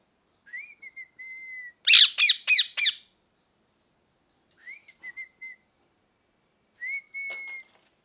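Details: Thin, level whistled notes frame a burst of four loud, harsh parrot squawks, with more soft whistles and faint clicks afterward.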